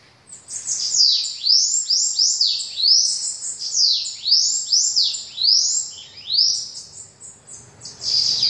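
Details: Bananaquit singing a high-pitched, rapid run of squeaky, arched sweeping notes, each rising then falling, delivered in quick succession without pause over several seconds, with a quiet background.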